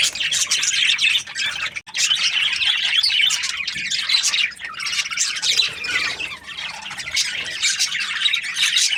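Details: Australian budgies, a parrot, chattering nonstop in a dense, high-pitched stream of overlapping chirps, squawks and warbles, with only a brief pause near the second second.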